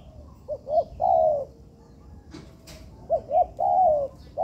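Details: Spotted dove practising in an artificial yard. Two short rising coos lead into a long drawn note, a pause broken by a brief knock, then the same phrase again.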